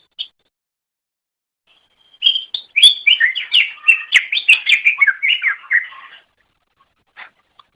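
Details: Greater green leafbird, a pet songbird, sings a masteran training song: a fast, dense jumble of chirps and whistled slurs for about four seconds, framed by brief sharp notes before and after.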